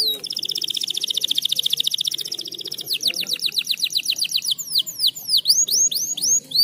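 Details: Canary in breeding condition, song to encourage mating: a fast high buzzy trill, slowing into a series of rising whistled notes, then sharp swooping chirps repeated rapidly.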